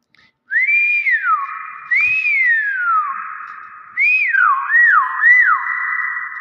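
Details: Common hill myna mimicking speech, giving loud clear whistles that rise then slide down, two long sweeps followed by three quicker looping notes, over a steady tonal drone, with music in the background.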